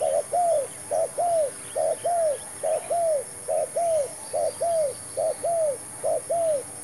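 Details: Spotted dove calling while used to lure others in a trapping session with a new bird and a new trap; rhythmic two-part coos, quick then longer and falling, roughly every 0.8 seconds, over a steady high tone.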